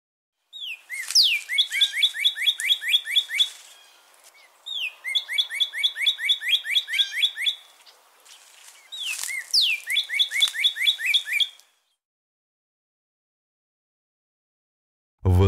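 Northern cardinal song: three bright phrases, each a clear whistled slur followed by rapid repeated chips.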